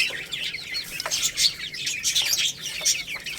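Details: Several growing chicks, a little rooster and a baby hen, possibly Lohmann Brown, peep while eating rice. Their high, thin chirps overlap in quick, uneven bursts, several each second.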